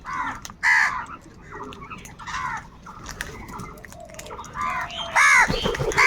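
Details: Crows fighting for food give irregular harsh caws, louder bursts at the start and end, with overlapping quieter calls in between.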